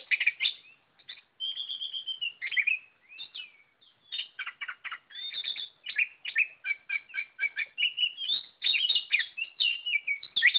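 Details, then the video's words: Oriental magpie-robin in energetic, nonstop song: long sustained whistles mixed with quick, crisp notes repeated rapidly, forming a rich, varied medley throughout. "Burung kacer Lot Full Gacor"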